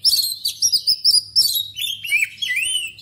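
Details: Loud, clear song of an Oriental magpie-robin: quick clipped chirps repeated in bursts, then drawn-out upward-curving whistles, with a faint low hum behind.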